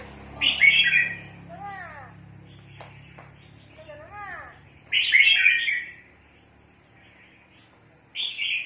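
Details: Red-whiskered bulbul sound used for trapping birds: loud harsh chattering bursts at the start, near five seconds and at the end, separated by quieter curved downslurred whistles, over a low steady hum.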